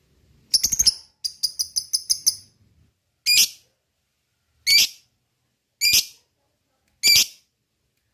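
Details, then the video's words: Lovebird calling to provoke lovebirds into song, opening with two bursts of rapid clicking chatter, then four harsh, drawn-out shrieks spaced over a second apart. "Pancing EMOSI LABET SUPAYA bunyi,suwara pangilan burung lovebird,suara lobet"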